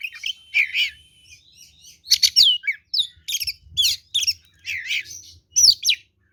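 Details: Oriental magpie-robin singing its combative lure song, a dense run of varied whistles, down-slurred notes and scratchy chatter, delivered almost without pause over a faint low hum.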